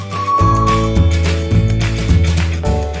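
Only music is heard, a steady bass-heavy backing track with no animal calls.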